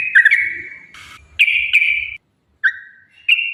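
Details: Yellow-vented bulbul song recorded as a lure for other birds: bright sustained whistles broken by short gaps, one burst of rustling noise, and a low soft rattle beneath the first half.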